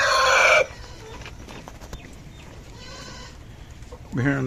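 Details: An Aseel rooster's loud, harsh, richly harmonic crow is cut off after half a second; a fainter call follows mid-clip and another begins near the end, with background chatter.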